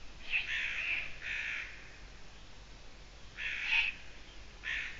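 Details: Eurasian eagle-owl recorded 6 June 2017 at 20:28 gives hoarse, rasping screeches: two close together at the start, a pause, then two more toward the end.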